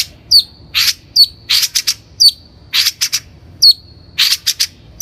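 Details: On a lure for training untrained captive birds, a Long-tailed shrike alternates high slurred whistles with harsh buzzy notes and quick double rasps in a steady, repetitive rhythm.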